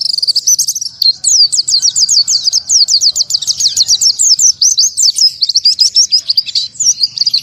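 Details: Oriental white-eye in 'tembakan tanpa nafas' song: a rapid, evenly paced series of high slurred chirps, repeated about several per second without a break, followed by a tangled twittering phrase.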